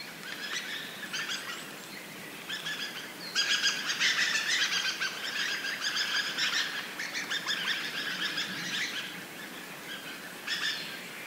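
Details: Dusky thrushes in a large flock flying around after arriving in numbers, giving many overlapping squeaky, chattering calls in dense bursts, loudest through the middle, with short pauses between waves of calling.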